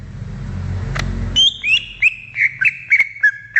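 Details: A greater green leafbird in the wild starts after a second of low background noise, then gives rapid clear whistles and chirps, several falling, about three per second.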